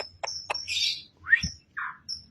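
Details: A newly wild-caught Javan myna (Acridotheres javanicus) singing right away in a jumbled burst: harsh clicks, a scratchy rasp, a rising whistle and thin high whistled notes, all within two seconds.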